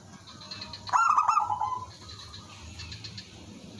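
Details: Local zebra dove, a lure bird singing to call other doves, delivers a single short rattling coo phrase introduced by fast clicks, then quiet background.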